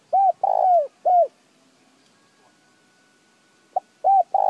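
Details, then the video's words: Spotted dove calling, recorded to stimulate decoy birds: a phrase of three low hooting coos with a drawn-out middle note, a quiet gap, then a new phrase starting with a short note and two coos. "Tiếng chim cu gáy kích bổi nhanh nổi"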